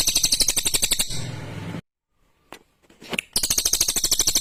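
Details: Sharp, clear song of a lesser green leafbird (cililin): dense repeated harsh pulses with high ringing overtones, around three per second. The song breaks off into near silence with a few clicks, then resumes.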